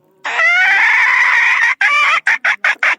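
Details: Young third-generation decoy rooster from the 2022 season crowing: a loud, harsh, drawn-out note held about one and a half seconds, then broken into five or six short choppy bursts.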